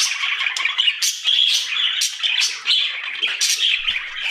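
A budgerigar chatters in a busy stream of high, scratchy warbles and squawks.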